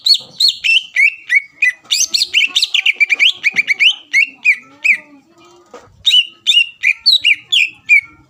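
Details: Greater green leafbird lure song to provoke rival birds into replying: rapid falling whistles in a steady stream, a short quieter break, then more quick downward-sliding whistled notes.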